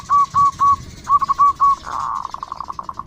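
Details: Local zebra dove, a loud singer used to lure other doves: three long level cooing notes, a quick stuttered group, two more long notes, then a fast rolling run of short beats.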